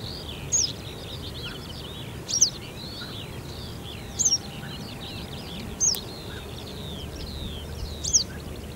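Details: Western yellow wagtail (Motacilla flava) in May 2021, rural Ryazan Oblast, Russia, giving thin, high, sharp calls about every two seconds over a busy chorus of other small birds and a low rural rumble.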